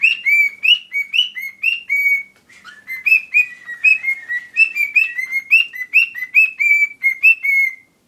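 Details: A pet Mexican cockatiel whistles a lively, tuneful melody in clear repeated phrases, singing a corrido (Mexican folk song).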